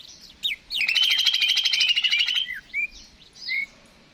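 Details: Song of a greater green leafbird meant to spur birds into singing: a long rapid buzzing trill of about a second and a half, framed by a few bright, curving whistled notes.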